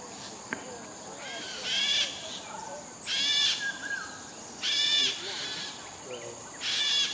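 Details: Wild straw-headed bulbul in Singapore singing loud, bubbling phrases of rich warbled notes, bursts roughly every one and a half seconds with quieter gaps between, over steady background hiss.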